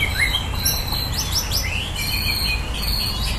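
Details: Competition white-rumped shama (murai batu) in a song duel, clear rising whistled notes and quick slurred phrases, with faint other birds and a low background rumble.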